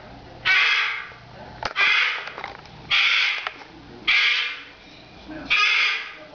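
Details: Pet female cockatoo screaming at dawn-and-dusk routine, having kept it up about five minutes; five rough, piercing screeches roughly every 1.2 seconds, with small knocks and clicks between them.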